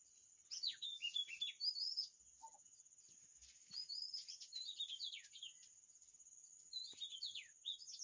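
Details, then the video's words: Oriental magpie-robin in sweet song, delivering rapid runs of whistled, slurred notes that dip and rise, in bursts separated by brief gaps, with a constant thin high tone running underneath and a few soft clicks. "Sound of Oriental magpie-robin"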